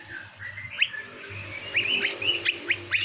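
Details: Greater green leafbirds, a male and female being paired, described as calling actively. Drawn-out whistled notes rise and fall, mixed with quick upward-flicking chips, over a steady low background hiss.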